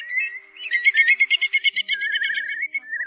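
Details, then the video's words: Night-migrating Whimbrel in August 2024, a recording used as a lure for night net trapping: a quick run of about a dozen repeated whistled notes forming a bright titter, then a lower wavering trill. "Tiếng Choắt Mỏ Cong Bé , Móc Còng Bé"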